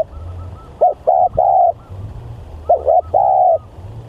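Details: Spotted dove, a very vocal bird used as a lure, gives two phrases of cooing: a quick doubled note followed by a longer, steady, mellow coo, about two seconds apart. A faint low hum runs underneath.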